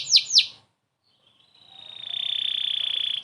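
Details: Canary song for White-rumped shama training: two sharp downslurred notes, silence, then a long pure whistle swelling steadily in loudness.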